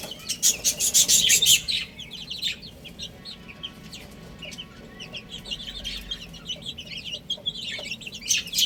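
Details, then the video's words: A group of young chicks chirping while eating and playing: a loud burst of rapid, shrill overlapping peeps at the start, then scattered high cheeps mixed with light tapping and rustling. "Cute Little Chicks Chirping Sounds"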